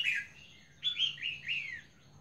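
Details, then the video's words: Albino female Red-whiskered Bulbul calling in a 'ra giọng 4-5' voice: a bright chirp, a pause, then three loud slurred whistled notes that each dip and glide downward in quick succession. Steady faint hum behind. "chào mào bạch tạng mái ra giọng 4-5"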